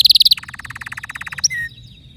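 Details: Canary singing a fast, even trill of sharp high notes, then a long run of quick repeated pulses, ending in a bright upward slide and a short level whistle.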